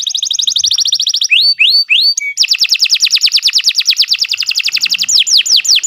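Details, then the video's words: Singing canary used as a training recording for birds: fast high trill, three upward-hooked whistles, then a long rapid rattling trill of rising notes ending with a few descending sweeps. "Kicau Burung Kenari II GACOR PANJANG Cocok untuk Masteran"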